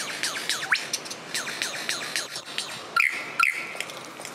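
Superb lyrebird: a rapid, varied run of clear descending whistles and chirps, punctuated by a few loud, sharp ringing notes. The background is faint and natural.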